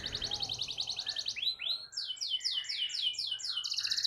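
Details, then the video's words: Long-rolling canary song aimed at stirring rival canaries to sing; a high rattling trill gives way to a string of rich, swooping slurred notes, then another rapid trill, over faint low background hum. "Kicau Kenari Gacor Efektif PANCING EMOSI Kenari lain Cepat ikut gacor Ngerol panjang"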